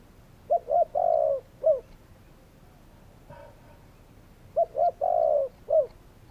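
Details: Spotted dove cooing twice, each phrase of two quick low notes, a long smooth coo and a short final note, the phrases repeated about four seconds apart with a faint brief sound between them.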